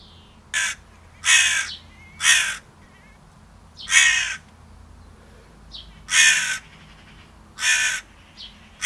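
A crow gives seven harsh, raspy caws, each short and coarse, spaced about a second apart over a faint low hum.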